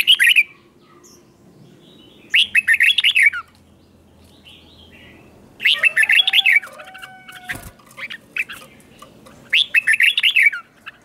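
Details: Caged red-whiskered bulbul in the double (เบิ้ล) song style for young birds to copy: four rich, chattering whistled phrases roughly every three seconds, with faint softer whistles and a click between them.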